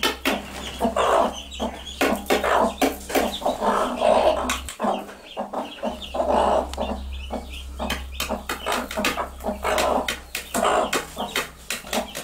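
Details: A mother hen sitting with her chicks calls them to food with quick, low, repeated clucks in uneven bursts, over a steady low hum in the background.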